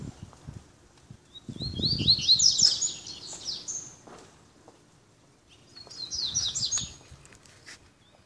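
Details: A captive-bred double-collared seedeater, singing loose in contest style, gives two quick bursts of high, sharp twittering notes a few seconds apart, over low rumbling background noise.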